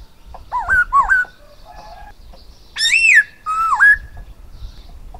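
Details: Silver-eared laughingthrush whistling a pair of quick wavering dipping notes, a short pause with soft notes, then a loud arched whistle and a level whistle with a dip. The background is quiet with light low rumble.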